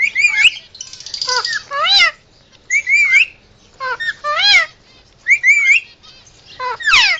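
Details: Male pet Indian ringneck parakeet in emergency mode, mixing wavy whistled trills with sharp descending squawks in clusters separated by brief silences.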